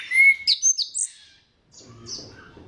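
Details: Orange-headed thrush lure song for prompting other thrushes: a quick run of bright, high whistled and slurred notes in under a second, followed by near silence and faint softer notes.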